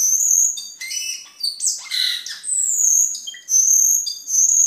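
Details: Cucak keling singing, for masteran and as a lure: long high sustained whistles alternate with brief squeaky chirps and a short burst of harsh, buzzy notes midway.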